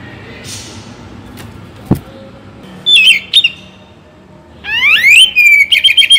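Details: Kacer Bagong Oriental magpie-robin in a morning and evening recording to encourage singing: faint background hiss, a few short whistled notes, then a rising swept whistle and a rapid string of chirps.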